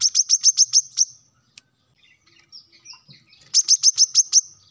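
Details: Training audio of brown-throated sunbird song for captive birds: a short burst of high rapid chips, a pause with soft twittering, then another quick chip series.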